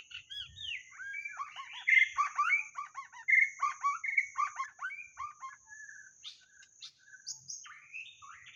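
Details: White-rumped shama song used for luring: a busy, varied stream of chattering and whistled phrases that rise and fall quickly, growing sparser and quieter toward the end.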